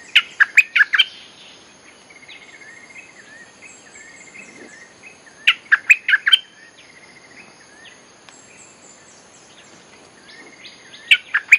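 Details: Olive-winged Bulbul lure song used to call wild birds: three bursts of four to five quick, loud, slurred whistled notes, separated by long quiet gaps filled with soft, faint chattering.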